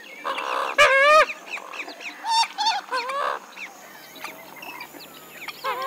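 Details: Loud nasal honks from a Western swamphen, each note bending downward with rich overtones, followed by shorter squawks and quieter calls from other birds in the background.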